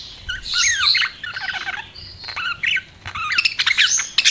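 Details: Budgies chattering in quick, scratchy bursts, with rising and falling squeaks, a brief steady whistled note midway and sharp clicky chirps, bird sounds filling the whole short stretch.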